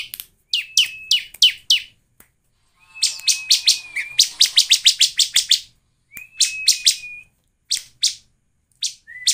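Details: Bar-winged prinia singing a lure song meant to make other prinias sing: fast, insistent runs of sharp high chirps, about three per second, broken by thin, level whistled notes and short gaps.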